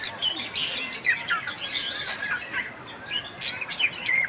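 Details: Bali myna, endemic to west Bali, Indonesia, singing a fast jumble of high chirps, squeaky whistles and raspy notes, quieter and continuous throughout.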